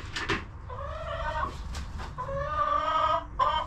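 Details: Chickens relaxing in their coop giving drawn-out, nasal clucking calls, two longer tonal notes and a short sharp one, over a steady low hum and scattered clicks.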